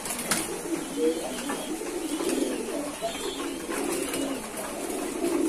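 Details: Several kept pigeons coo together in a low, rolling murmur that swells and fades, with faint clicks in the background.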